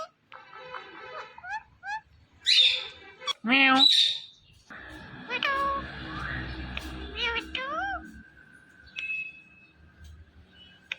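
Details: Talking Indian ringneck parakeet, a green pet parrot: a run of harmonic, speech-like syllables and rising-falling whistled tones, two loud shrill squawks near the middle, then more warbled chatter over a faint low hum.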